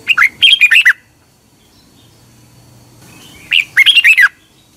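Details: Song of a Red-whiskered bulbul in Thailand, played daily in the morning so caged birds learn to sing quickly and strongly: two fast bubbly phrases of warbled notes about three seconds apart.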